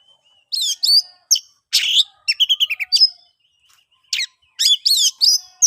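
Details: Varied song of an oriental magpie-robin, used to stir mute birds into singing: scattered sharp whistles, a harsh rasping note, a fast stuttered run of notes, then more bright whistled phrases.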